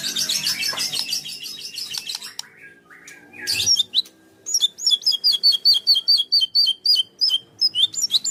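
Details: White-rumped shama chattering in full 'tembakan' song: a dense scratchy jumble opens, then a steady series of crisp, sharply inflected high notes repeated about twice a second.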